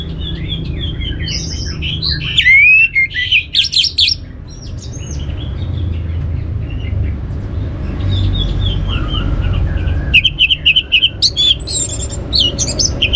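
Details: Orange-headed thrush song for prompting other birds to sing: a long, busy sequence of fluty whistles, sweeping slurs and loud clustered chirps, with brief quieter stretches and a low rumbling background.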